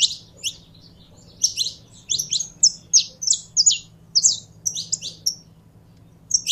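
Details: Kept saffron finch warming up to sing: clusters of sharp, high downslurred chips and short whistled notes separated by brief silences, over a quiet electrical hum.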